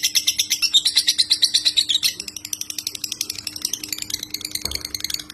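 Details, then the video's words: White-rumped shama master song with full tembakan: two seconds of loud ringing fast whistles, then a lighter high rapid rattle continuing to the end, one soft low knock near the close, faint hum throughout. "Masteran murai batu ful tembakan kicau prestasi jernih mudah di tiru"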